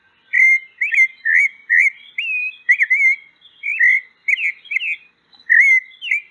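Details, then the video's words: Sabiá-poca, the pale-breasted thrush, delivering a steady string of about a dozen short whistled notes, each a quick rising or falling slur, with a short pause near the end; clean recording with nothing else audible. "O Canto da Sabiá Branca. Sabiá Poca cantando."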